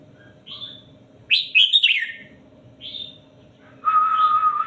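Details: Red-whiskered bulbul in a cage: soft whistled chirps, a loud rich warbled phrase, another short whistle, then a long steady buzzy note at the end, over a low constant hum.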